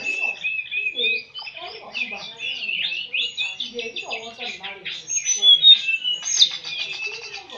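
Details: White-rumped shama singing in a contest with a mountain bird called telede'an gunung: dense, varied high whistles and rapid chattering phrases with quick overlapping notes, voices talking in the background.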